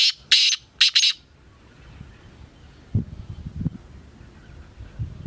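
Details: Black francolin call: a rapid series of four scratchy, buzzy notes at the start, the last two paired, then low rumbling background noise.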